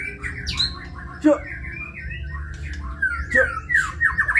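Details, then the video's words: Kebyok-style white-rumped shama song: rasping notes and sharp chips, then a run of ringing whistled notes toward the end. "Murai batu (Kebyok)"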